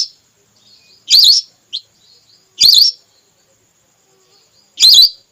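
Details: Female whistling duck call played as a hunting lure: three bright, quavering whistles about two seconds apart, with a short thin note and faint twittering between them.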